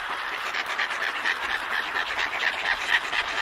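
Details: A pair of Antarctic petrels calls to each other in their colony at Scullin Monolith, Antarctica, with rapid, rough, chattering notes repeated roughly twice a second over a constant background of colony noise.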